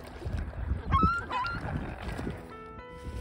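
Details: On 6 March, a mallard gives a couple of short, nasal duck calls in the first half, over low rumbling background noise and a steady tonal hum near the end.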